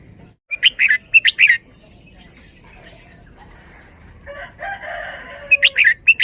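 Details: Red-whiskered bulbul in a cage performs its 'double-double' song style, repeating paired bursts of loud, clear whistled notes, with a raspy, nasal chattering stretch between the bursts.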